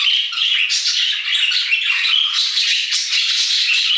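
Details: A steady, unbroken wall of budgerigar chatter in an aviary, many birds giving overlapping buzzy squawks and thin squeaks at an even loudness throughout.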